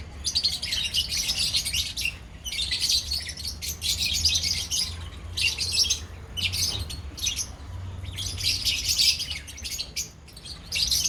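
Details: A lovebird colony keeps up a busy, high, twittering chatter in repeated surges with brief quieter gaps, over a low steady hum.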